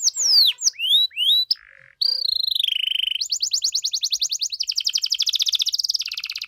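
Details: Canary singing luxurious 'cengkok mewah' phrases to provoke other canaries: swooping whistles, a short lower steady tone, a brief pause, then a gliding whistle and long rapid rolling trills that climb in pitch.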